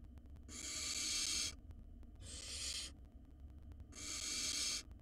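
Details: Wild barn owl nestling in a nest box, swallowing a mouse whole: three long, harsh, breathy hissing screeches, each about a second long, separated by short pauses, with faint low background rumble.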